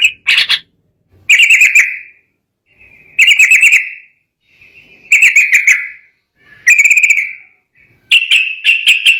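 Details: Agitated sooty-headed bulbul song that stirs rival birds to answer: loud fluttering whistled bursts roughly every one and a half to two seconds, each a rapid trill of notes, with softer notes in between.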